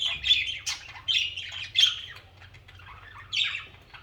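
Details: Budgerigars chirping and singing as social caged birds: short chattering phrases of raspy, warbled notes come roughly every half second, pausing briefly before another burst, with a quiet low hum behind.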